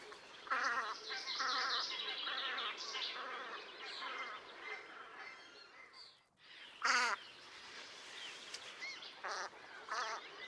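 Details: Velvet scoters calling in a group at Liepāja, Latvia, in March 2024: dense overlapping nasal, wavering calls with high bird chatter, a short pause, then one loud call and scattered fainter ones.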